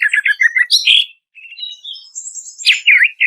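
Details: Greater green leafbird song meant to provoke other birds into answering: quick stuttering notes, a short gap, soft trills and a high thin whistle, then loud swooping slurs.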